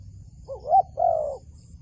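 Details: Wild dove being lured toward a trap gives a short cooing phrase: a soft rising-falling note, then a longer, louder mellow coo that slides gently downward, with faint low rumble behind.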